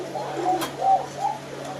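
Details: Crowded loft of Koka pigeons calling together, one bird's calling keeping the rest going; gentle rolling coos overlap into a continuous hum, with a brief knock partway through.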